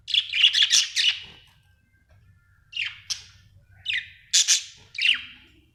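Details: Budgerigar chirping happily: an opening cluster of rapid, rasping high chirps, then a quiet gap. Single and paired scratchy chirps follow every second or so.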